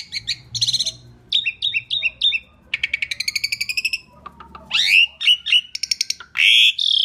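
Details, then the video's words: Asian pied starling song for luring birds: repeated short whistled motifs, a long rapid rattle of ticking notes, then rising slurred whistles and harsh buzzes. "Kicau Jalak Suren Gacor Paling Nyaring - Durasi Panjang ISIAN FULL ROLL cocok untuk PANCINGAN"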